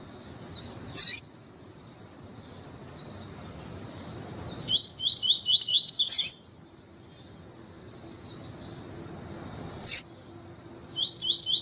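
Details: Double-collared seedeater in the tuí tuí song style, with a female calling to warm up the male: soft high downslurred notes, then a quick burst of about six bright repeated chirps, with sharp clicks and returning chirps.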